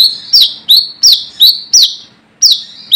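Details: Wild brown-throated sunbird, its calls used to lure rivals: a string of shrill, falling chirps about every third of a second, a short gap, then two more notes.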